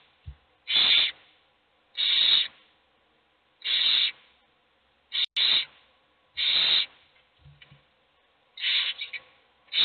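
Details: Hungry owl chicks in a nest box, only one being fed, beg with harsh, breathy hisses, each about half a second, repeated every one to two seconds; faint low knocks in between.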